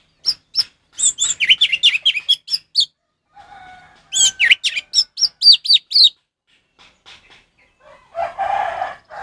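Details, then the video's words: Orange-headed thrush, ngeplong song meant as master song for captive thrushes that stopped singing: fast repeated sweeping whistled notes in two long bursts, with a soft low hum between and a rough noisy patch at the end. "suara Anis merah ngeplong untuk masteran burung Anis merah macet"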